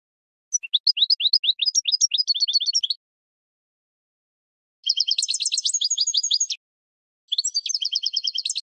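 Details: European goldfinch singing in spring, a training recording for cage birds: three bursts of rapid, high twittering and tinkling notes, the first about two and a half seconds long, separated by short silences, with no other sounds.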